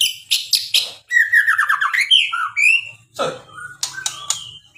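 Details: White-rumped shama in full varied song: sharp clipped notes, then a tumbling run of whistles and chatter, a harsh rasping note, and further scattered whistled phrases.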